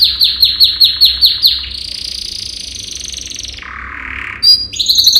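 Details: Male yellow canary training song: a burst of fast sweeping trill notes gives way to a long, sustained rolling buzz, drops to a lower rattling roll, then quick high chirps resume.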